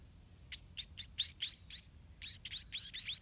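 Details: White-rumped munia chicks in a garden nest, fed by their parents: a run of short, high, sharply rising chirps in two bursts of about five notes each, with a faint steady high tone behind.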